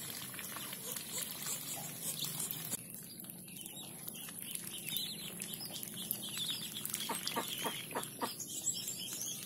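A duck dabbles and drinks: rapid wet clicks and splashy slurps, several every second, in uneven bursts with a soft watery hiss behind.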